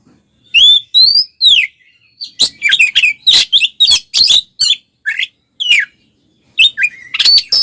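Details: Oriental magpie-robin (kacer) singing in the aggressive 'tarung' fighting style to bait other males: clear downslurred whistles, then a busy stretch of harsh chattering notes mixed with short whistles.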